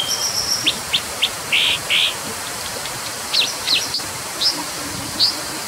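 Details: Brown dipper calling with short, sharp, high chirps, some buzzy and doubled, delivered in irregular bursts against a constant hiss.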